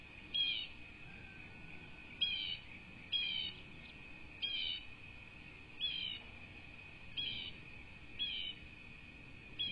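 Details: Bald eagle chicks, two, in their nest on a Southwest Florida cattle ranch, USA, dated 5-2-24: a series of about eight high, thin, down-slurred chirps at uneven intervals over a constant high-pitched hum.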